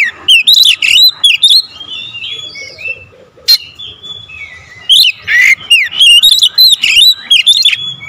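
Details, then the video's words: Oriental magpie-robin (kacer) lure song in the dense 'tembakan rapat' (close shots) style: loud buzzy bursts alternating with sliding whistles and twisting notes, with quieter warbled passages between and a faint steady hum throughout. "PANCINGAN KACER SUPER POWER TEMBAKAN RAPAT"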